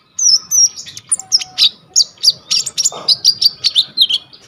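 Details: Constantly singing brown-throated sunbird (konin gacor), 'full isian' song as masteran for training kolibri ninja, recorded on a vivo y21 phone: piercing high whistles, then evenly spaced sharp chirps about five per second, steady and bright.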